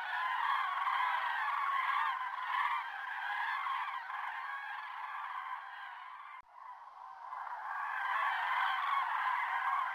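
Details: A large flock of common cranes at Sotonera Reservoir on 5 February 2023 gives a dense, unbroken chorus of loud, rolling, overlapping trumpeting calls that dips briefly at about six seconds.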